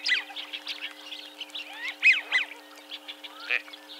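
American wigeon giving a few breathy, high whistled calls among soft chattering duck notes, with a faint steady hum underneath.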